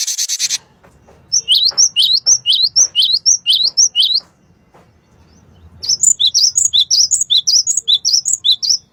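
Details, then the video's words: Male Cinereous tit delivering quick, high, whistled double notes, each slurring downward, repeated roughly twice a second in two long series separated by a pause, with a brief burst of harsh noise at the start. "Suara Burung Glatik Batu Jantan"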